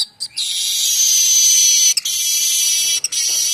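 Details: Streaked weaver song, a varied song used to tutor magpie robins and other songbirds. A loud, sustained, sizzling buzz runs almost the whole time, broken twice by brief gaps.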